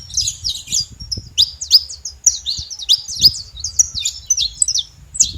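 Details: Noisy saffron finches at a feeder give bright, high, slurred chirps in clustered bursts, some notes sweeping down, with short gaps between groups and faint low background noise.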